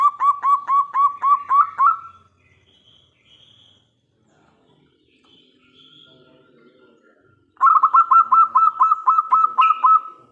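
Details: Zebra dove of a local strain, loud-voiced, singing as a lure to draw replies from other doves: a long run of about nine rhythmic coos ending in a rising stretched note, silence, then another lengthy series.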